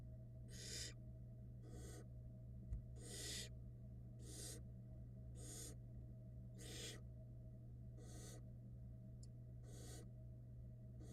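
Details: Florida nest box barn owl nestlings, fed by the female, producing a long run of about ten short, harsh hissing screeches at irregular intervals over a persistent low electrical hum, with one faint knock.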